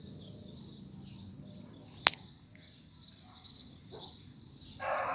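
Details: Coleiro after rain, coaxed to sing: spaced high chirping phrases interrupted by a sharp click, ending in a rougher mid-pitched noise.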